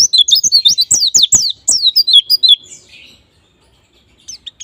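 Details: White-eye lure song for bringing on ngalas and nembak singing: a rapid string of high, sharply falling chirps with some clicks, fading to near silence before a few final faint notes.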